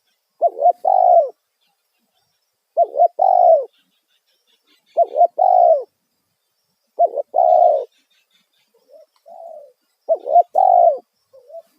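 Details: Spotted dove lure call in the loud 'kuk satu' style for attracting wild birds. Five two-part coo phrases repeat roughly every two seconds, each a short quavering note then a sustained descending coo, with softer separate coos between the later phrases.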